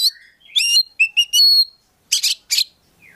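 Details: Kept Oriental magpie-robin (kacer) in full-filler 'gacor' song: a few bright whistled notes and rising slurs, then three harsh, buzzy bursts.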